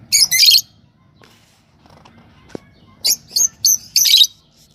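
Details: Yellow Fischer's lovebird pair chirping: a harsh burst of shrill chirps, a long quiet gap, then four sharp high squeaky notes in quick succession.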